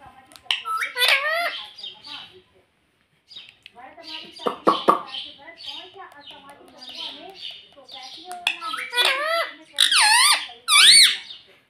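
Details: A parrot that is said to speak "mummy" and "papa" gives high, nasal, word-like calls in several groups. A pause and some quieter chatter come between the groups, and the clip closes with loud, rising squeaky syllables.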